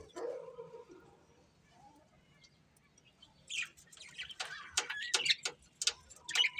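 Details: Budgerigars chirping: a quiet, low murmur at first, then from midway a burst of sharp, high chirps and squeaky twitters in uneven clusters.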